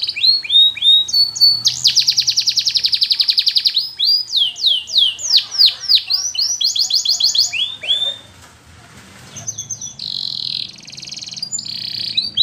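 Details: A canary presented as a Russian flute-style singer for training sings a long, varied song of fast rolling trills, sweeping whistled notes and buzzy bursts, with a brief pause before it resumes.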